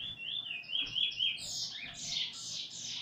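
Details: Eurasian bullfinch learning its song alongside a tutor bird, nearly finished, recorded 13 August 2020; soft whistled notes around mid pitch, gliding and overlapping, followed by higher fluty phrases.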